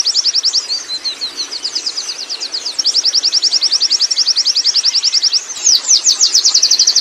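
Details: A wild Oriental white-eye sings ngerol, a continuous high-pitched chattering trill that grows louder and denser midway, then finishes with stronger, swept chirps.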